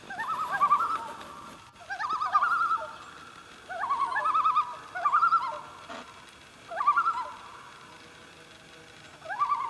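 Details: Loons call on Pardee Lake, Vilas County, Wisconsin, in the morning: wavering, yodel-like phrases, each about a second and a half long, repeated roughly every two seconds with quiet pauses between.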